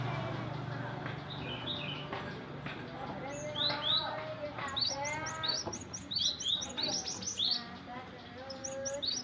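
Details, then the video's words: Young Java sparrow, still with some green, bought as a wild-caught bird, singing a lively jumble of high chirps, clicks and short bell-like notes that grows denser midway, with faint voices and low background noise behind. "suara burung glatik masih muda"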